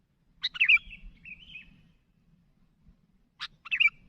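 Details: Sooty-headed bulbul calling out to others: a quick twisting chirp followed by a drawn-out wavering whistle, a pause, then a sharp click and another short looping chirp.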